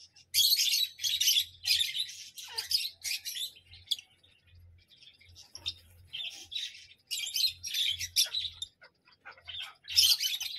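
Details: Parrot producing loud, grating squawks in clusters, a quieter spell in the middle, then renewed bursts of rough screeching; a low humming tone persists throughout.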